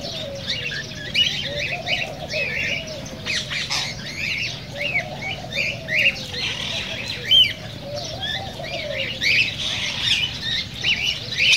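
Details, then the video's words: Cockatiels calling together, sound played to stimulate mating and singing: dense overlapping squeaky chirps and short rising whistles, with a steady low warbling chatter underneath and a constant low hum. "تغريد كوكتيل"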